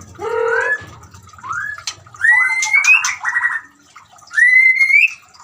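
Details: White-rumped shama song mixed with the sound of running water, used to coax a silent shama into singing: varied whistled phrases, some low and buzzy, others rising sharply, with pauses between bursts.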